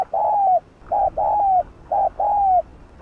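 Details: Bow-cooing of a spotted dove, used to excite captive birds into calling. Three soft phrases, each a brief hoot then a drawn-out descending coo, come about once a second over a low background hum.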